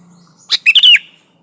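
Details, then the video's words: Sooty-headed bulbul singing actively, an original recording without added birdsong, used as a lure to make other bulbuls sing: one rich, chortling phrase of four fast notes ending in a falling slur, over a soft low hum. "Suara burung kutilang gacor Asli tanpa isian Ampuh buat pancingan kutilang gacor"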